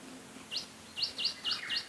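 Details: Jacky winter, an Australian robin, singing in the Australian bush with brisk, high chirped notes that sweep up then down, five in under two seconds, with a softer lower note near the end.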